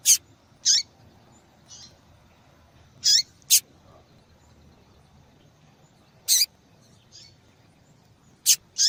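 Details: Calling female yellow-bellied seedeater, used to excite a male to sing: a series of brief high sharp chips, some paired, repeated at irregular intervals of one to three seconds, with fainter notes between.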